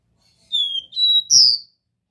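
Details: Copper seedeater giving a short Dó Ré Mi phrase: a long, slightly falling high whistle, a steady flat whistle, then a louder upward-swept final note, all clear and pure-toned.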